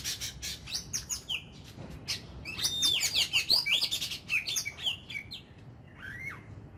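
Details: Oriental magpie-robin kept as an ornamental bird, singing in the 'kích lửa' style during daily voice training: rich, varied high whistles, rapid chirps and sliding notes in dense bursts, a clear rising whistle near the end.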